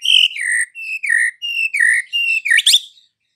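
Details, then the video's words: White-rumped shama afternoon song used to provoke a silent bird: a string of loud clear whistles alternating high and falling notes, closing with a rapid twisting flourish. "PANCINGAN Murai Batu SORE hari , langsung bikin Murai Batu bisu AUTO NGAMUK"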